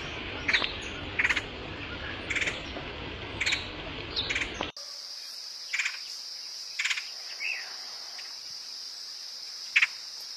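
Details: Woodpecker calls used as a lure for attracting the bird: short, sharp chirping notes in loose clusters at irregular intervals, over a hissy background that switches abruptly to a steady high insect drone partway through.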